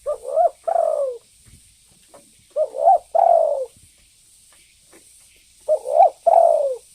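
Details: Spotted dove calling vigorously, a lure call for drawing in other birds: three low cooing phrases, each two short wavering hoots then a longer drawn-out falling coo, repeated roughly every two and a half seconds over a faint steady hiss.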